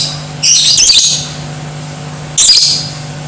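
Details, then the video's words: Lovebird, played to make other lovebirds aggressive and sing: two loud, harsh, rasping bursts about two seconds apart, the first longer and rougher, with a faint low hum behind. "Di Pancing Suara Lovebird Ini , Bikin Jadi BRIGAS"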